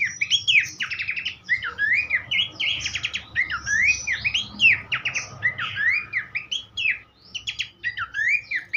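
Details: Continuous rich song of a Horsfield's babbler for songbird tutoring, full of swooping whistles and sharp chirps strung tightly together, with a faint low hum behind.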